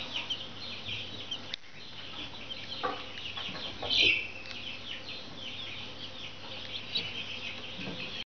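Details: Several Brahma chicks cheeping steadily, with high, thin peeps and quick downslurs overlapping throughout, one louder squeaky call standing out midway, over a constant low hum.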